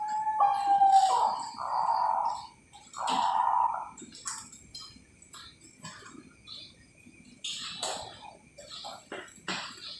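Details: Bangkok-type zebra dove kept by breeders in Java, Indonesia, giving low soft coos over the first four seconds. Later scattered high chirps and faint clicks come from other birds and the surroundings.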